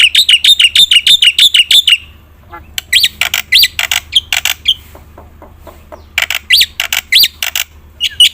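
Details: Black-winged myna in steady full song used to prompt reluctant birds: opens with a rapid even run of about twelve bright whistled notes, then a pause, then mixed harsh notes and rising whistled slurs.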